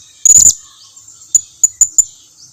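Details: Blue-crowned hanging parrot lure call meant to make other birds answer: a short trilled high burst, then four sharp thin high chips spaced irregularly.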